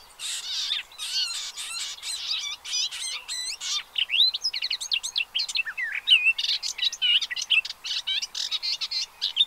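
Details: Pied avocets with their chicks, Gulf of Morbihan reserve at Séné, France, late April 2023: continuous, busy overlapping calling of high, thin, curling notes and bright flicks, almost without pause.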